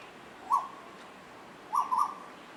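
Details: Asian koel pair singing and playing together: one short whistled note, then a quick double note about a second later, clear and bright in a quiet setting.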